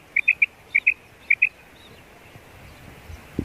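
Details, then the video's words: Female quail calling: short clear notes near the upper-middle pitch range in quick pairs and triplets, three bursts within about a second and a half, then quiet with faint rural background noise and a low thump. "Female Batair Sound / Mada Batair Ki awaz"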